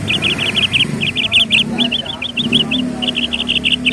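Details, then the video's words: A bird repeats quick, high, bright chirps in fast runs, with a softer slurred stretch in the middle, over a continuous murmuring low background. "BIRDS SOUND"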